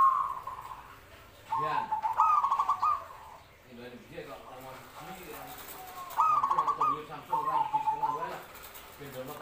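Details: Zebra dove calling: two soft, stuttering cooing phrases, each a quick series of short notes ending in a longer trill, separated by a few seconds of quieter background sounds.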